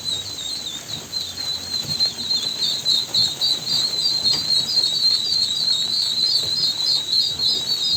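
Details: Several ducklings peep continuously in high, wavering notes that run together into an unbroken chatter, with a soft low background rumble.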